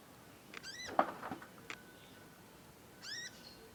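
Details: Young conin bird learning its song: two crisp, ringing, arched chirps three seconds apart, with a louder, lower, blunt knock and a short steady whistle between them.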